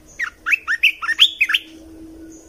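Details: Red-whiskered bulbul singing, a training recording meant to tutor young birds and excite them: a lively phrase of about eight rapid, chattering whistled notes rising and falling over 1.5 seconds, ending abruptly, with a faint steady hum behind.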